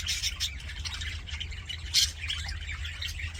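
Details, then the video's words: Cheerful budgerigar chatter of rapid scratchy chirps and twittering warbles, with a loud squawk burst around two seconds, steady throughout over a faint low hum. "HAPPY BUDGIE SOUNDS"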